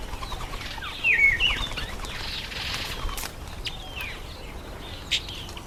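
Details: Breeding-season masked weavers, September to October, calling with a few bright descending chirps followed by softer scattered twitters and a faint buzzy background.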